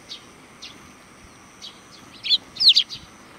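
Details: Group of sparrows greeting visitors at a Tenmangu shrine in Japan: soft scattered high tweets, then a loud cluster of rapid bright chirps near the end, with a quiet background.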